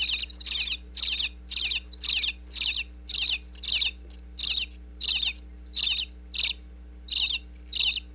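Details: Nestling bluebirds in a birdhouse in Pennsylvania, chirping each time parents bring food, wireless microphone inside the house: regular bursts of high, scratchy chirps roughly every half second, fading slightly toward the end.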